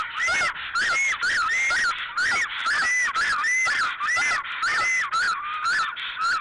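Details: Male and female black storks mating at the nest in Alitaguse, 17 April 2014, mid-morning: a steady run of loud, rising-then-falling whistled notes, close together and harsh-edged, continuing without pause throughout.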